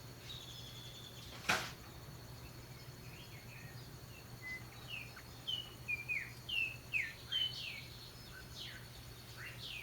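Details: Mockingbirds in spring singing a high note through jasmine bushes: after a sharp knock, a run of clear, quick, downward-slurred whistles about twice a second, over steady low hum and background noise.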